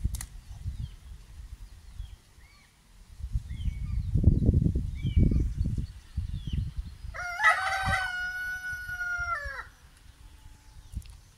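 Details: On an off-grid homestead with pastured poultry, a rooster gives one long, steady crow of about two and a half seconds; small chirps from other birds and low wind rumble come before it.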